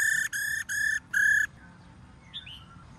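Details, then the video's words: Female white-cheeked laughingthrush giving its 'ro' call, played to make males sing: four flat, clear whistled notes in quick succession, evenly pitched with a rich ringing tone. Faint thin slurred notes follow in a quiet background. "KHƯỚU MÁI RO QUÁ ĐỈNH Kích Trống Hót Căng Hót Hay"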